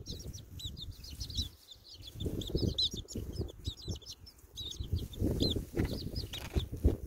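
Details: Baby chickens outside in wind, peeping busily in fast, high, arched chirps that come in bursts, with a brief lull before resuming, and gusts of wind rumbling below.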